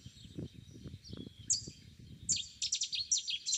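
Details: Cetti's warbler (Cettia cetti), song.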